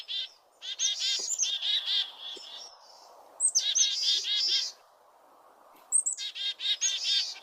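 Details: Chickadees give an alarm call on seeing a northern saw-whet owl: three bursts of buzzy, rapid 'dee-dee-dee' notes, each run over a second, with brief high chips between.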